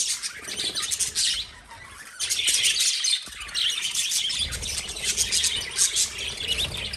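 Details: Pet lovebirds chirping in dense, overlapping bursts of high, scratchy twittering, with a short quiet gap near two seconds, then continuous chatter and some low rumble.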